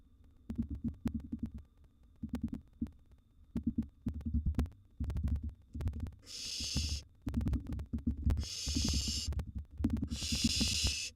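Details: Wild barn owl nestlings at a nest box as mouse prey is delivered and a second nestling eats a large gerbil. Muffled thumps and scuffling first, then three drawn-out rasping hisses in the second half.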